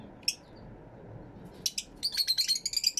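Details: Aviary Fischer's lovebirds, stereo camera recording: a lone sharp chirp, a pause, then a quick run of thin, high squeaky notes closing out the moment.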